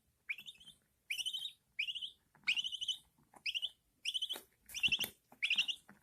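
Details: Budgerigar chicks, newly hatched, fed by their mother. Rising, slightly raspy chirps come in clusters about every 0.7 seconds, some notes doubled, in a quiet room.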